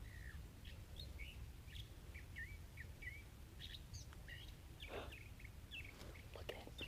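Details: Northern Mockingbird at Crystal Cove State Park, Southern California, a mimic that copies other birds; varied short chirps, slurred whistles and rising notes in quick irregular succession over steady low background rumble.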